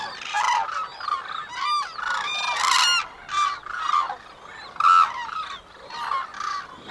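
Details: White-naped crane pair giving the courtship unison call: the female a fast series of high-pitched short notes, the male longer, lower pulsed calls. Here loud, harsh bugling honks come in rapid overlapping bursts, strongest around the middle.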